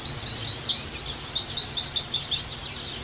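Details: Oriental white-eye song used as a training recording to make caged birds sing energetically again: a brisk string of high, down-slurred chirps, about five per second, with a few sharper rising notes.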